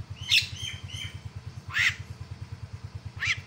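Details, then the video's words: Calling myna, played as a lure to make rival mynas shout back: three loud, rasping, upward-swept bursts with short whistles between them, set against a constant pulsing engine rumble. "KICAUAN JALAK PEMANGGIL LAWAN"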